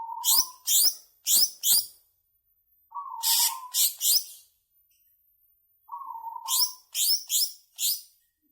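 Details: Ngebren-style song of a greater green leafbird used as a lure for caged birds: three phrases, each opening with a flat low whistle and followed by four or five loud, sharp, downslurred chirps, with short silences between.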